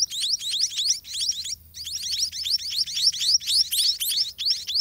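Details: White-rumped munia chicks begging in a dirty garden nest while parent birds feed them: a dense, continuous chorus of high, thin, downslurred chirps tumbling over one another at several per second, with brief pauses.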